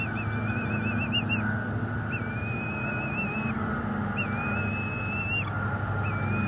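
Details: Bald eagles at a northeast Florida nest in February 2022 as an adult feeds two eaglets. Wavering, quavering whistled notes alternate with longer steady whistles, fairly soft, over a continuous low droning background.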